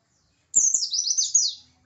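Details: Oriental white-eye of the Pacitan type, singing an aggressive song meant to provoke rivals: one high, rapid phrase of thin descending chirps that runs together into a sweeping, slurred trill lasting just over a second.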